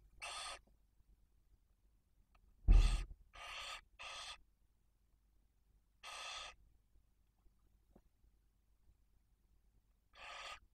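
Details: Inside a barn owl nest in Spain's Cabañeros National Park, with prey delivered by the male for the female and two chicks. Short rasping hisses come in irregular clusters, with a sharp knock near the start and long silent gaps.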